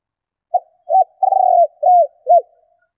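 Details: Female spotted dove cooing to stimulate males: a low, mellow series of five coos. A short opening note and an arched coo lead to a longer, rolling purr, then two falling coos, against a silent background.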